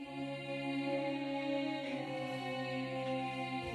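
A steady, droning chant-like tone with layered harmonics holds throughout, with no animal call standing out.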